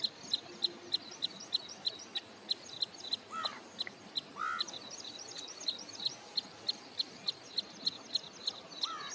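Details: Wood sandpiper near return migration at Hoskote Lake, outskirts of Bangalore, Karnataka, giving a long run of single high, clipped notes about three per second, with a few lower slurred calls from other birds and soft background chatter.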